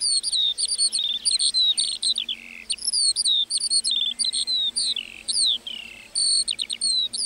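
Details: In a meadow a lark pours out its song: bright, high chirps and falling slurs strung closely together, broken by brief rapid trills and a short pause near the end.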